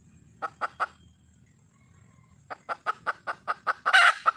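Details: A wild hen red junglefowl calling for a male: three short clucks, a pause, then a steady train of evenly spaced clucks that swells into a loud, coarse squawk.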